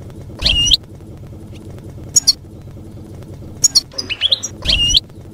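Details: European goldfinch in campero style, used for tutoring young birds; a few scattered short, bright twittered calls and upslurred notes separated by quiet gaps over steady low hum.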